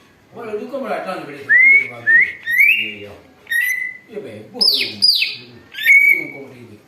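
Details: Greater green leafbird imitating an eagle, used for luring: a run of clear upslurred whistles, then high screaming notes that sweep downward, separated by short pauses, with soft lower harmonic chatter in the background.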